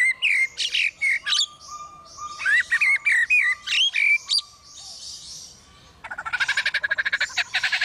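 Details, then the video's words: Lyrebird imitating construction noises. It opens with a string of sharp whistled and squawking notes, then switches to a fast, even, machine-like pulsing rattle for the last two seconds. "Lyrebird making construction noises"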